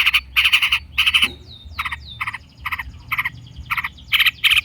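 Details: Long-tailed shrike in a lure recording meant to stimulate other shrikes to answer. Harsh, buzzy, rasping notes repeat about twice a second, with a few thin, falling whistles slurred between the bursts.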